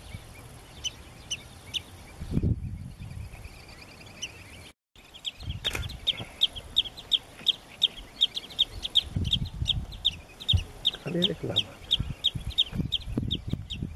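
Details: Marsh sandpiper in Cyprus calling: a long series of short, sharp, high notes repeated about three times a second, with low thumping and handling noise underneath.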